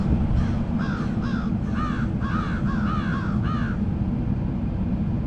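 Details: A flock of crows cawing almost continuously, with rasping, down-curving caws tumbling over one another in a burst of about ten calls before falling quiet. A steady low background rumble runs throughout.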